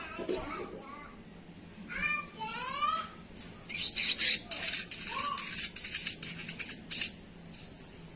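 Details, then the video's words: Sogon singing actively, a mix of short harsh rasping bursts and rising, stacked nasal notes, then a run of fast scratchy rattles, with faint background noise. "suara burung sogon"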